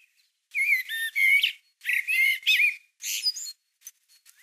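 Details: Male-style territorial singing is not stated; a Common Blackbird (Turdus merula) in March 2020 delivers several loud mellow whistled phrases in quick succession, each sliding and warbling, with faint squeaky twitters trailing at the end.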